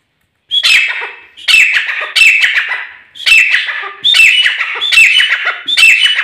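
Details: Pair of local grey francolins calling: loud, harsh, ringing phrases with strong upper tones, repeated in bursts roughly every second with short gaps, dominating the recording.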